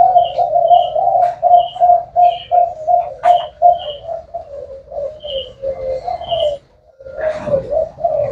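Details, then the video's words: Spotted dove giving a long series of low, throaty coos at an even pace. Faint high chirping runs over it, then a brief gap and a noisy burst near the end. "Cu gáy thái hậu"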